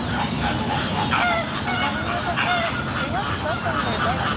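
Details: A flock of Coscoroba swans on a lake gives short, overlapping honks and nasal whoops, some rising and some falling, against a steady rushing background and faint chatter.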